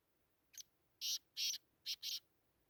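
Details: Black francolin calling in a harsh grating phrase of five high buzzy notes, a faint first note followed by two longer blasts and two short ones, against a quiet background.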